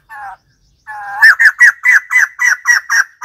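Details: White-crested laughingthrush opens with a short nasal, harmonic note and a longer drawn-out one, then breaks into a loud chuckling series of about nine rapid, hoarse, bouncing notes.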